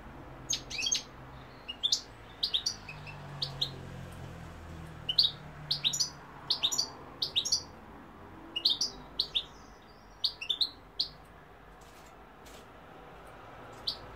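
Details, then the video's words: European goldfinch singing: scattered bright high chirps and short twittered notes, in loose bursts with brief pauses, over a faint low hum. "goldfinch p throat sign 2021 مقنين الحسون"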